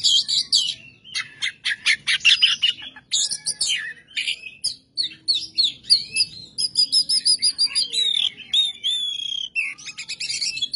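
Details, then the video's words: Oriental magpie-robin, a kept songbird, delivering coarse 'materi kasar' song: rapid harsh clicking and buzzing notes at first, then a run of thin high whistles and chattering phrases, no other sounds. "KACER MATERI KASAR KASAR NGEBYAK GACOR"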